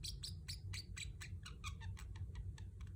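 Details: Pet Pacific parrotlet chirping in a quick, uneven series of high, slightly raspy notes, some sliding down in pitch, over a strong low hum.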